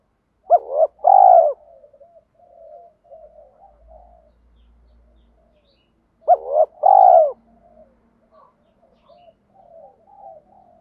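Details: Spotted dove in 'giọng thổ' voice used as a lure for training: two separate cooing phrases of clipped notes ending in a throaty coo, with soft faint chatter between them.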